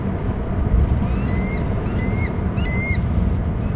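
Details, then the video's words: Eagle calling near its nest as another eagle approaches, after soaring out over water: three thin, whistled, rising-then-falling notes about half a second apart, over a heavy rumble of wind. "eagles soaring out oover water eagle to nestscreeping as other near nest"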